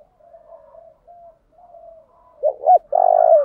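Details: Low, soft, drawn-out murmuring coos from a decoy spotted dove that shifts its song patterns to stimulate wild birds, ending in two abrupt loud notes and a long, rough, throbbing coo.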